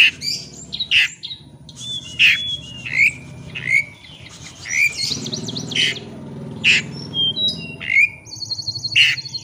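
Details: Rival-seeking Oriental magpie-robin song used as a lure: spaced loud whistled and harsh notes with sweeping slurs, a high buzzy rattle near the end, over a fairly strong low rumble of background noise.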